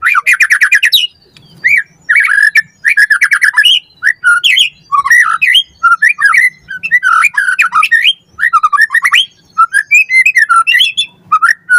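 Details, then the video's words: Captive-training lure of white-rumped shama song, a loud, rich run of varied whistles, harsh squawky notes and rapid trills in tight bursts, barely pausing throughout. "Pancingan Murai Batu Gacor Auto NYAUT Cepat RESPON Buat Masteran Burung Murai Agar Gacor Full Isian"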